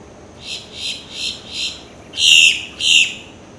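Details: A male Boat-tailed Grackle (Quiscalus major) gives four soft, raspy notes about every 0.4 seconds, then two louder, harsher grating notes, in an otherwise quiet setting.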